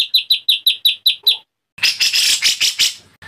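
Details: White-rumped shama singing in an agitated state, opening with a series of evenly spaced sharp chirps, then a short gap followed by dense, harsh, noisy bursts.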